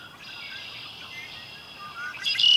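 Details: A Red-winged Blackbird at Humboldt Park gives a high, buzzy, rasping sound held for about two seconds, then a louder sharp note at the end over faint background noise.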